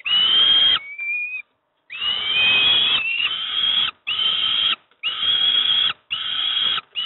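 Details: Young peregrine falcons at Moszna-Pruszków receiving breakfast: a run of loud, rasping, wailing screams, mostly about a second long with short gaps, plus one thin rising whine.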